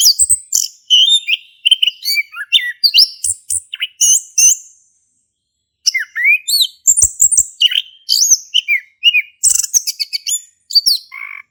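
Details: Male orange-headed thrush in Indonesia pouring out 'ngeplong' song to encourage a silent bird: two long bursts of rapid mixed whistles, chips and rattling notes separated by about a second of quiet.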